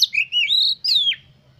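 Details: Two loud whistled phrases from an oriental magpie-robin, meant to excite other birds into song. The first is a wavering, rising whistle and the second a bright note that slides downward, then silence.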